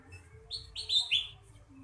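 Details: Ruby-throated bulbul (kutilang emas) singing in the full-isian style: a few short, bright slurred whistles, the middle two louder and falling in pitch, over a faint low hum.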